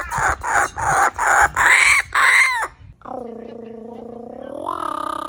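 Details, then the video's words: Kookaburra laughter: five loud, harsh, raucous bursts about every half second, then a steady droning hoot that steps up in pitch near the end. "The kookaburra’s laughter is so infectious."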